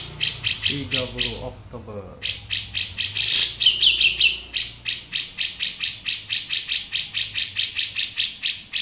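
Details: Harsh 'beset' rasping of a male grey-cheeked bulbul, a quick stutter of notes and a brief gap near the start, then steady scratchy pulses around three per second.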